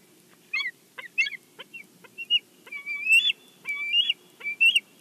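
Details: Bald eagle at its Big Bear nest, picked up by a live nest camera as a fish is brought in: thin high chips and clicks, then a run of piping, slightly rising whistled notes repeated about every half second.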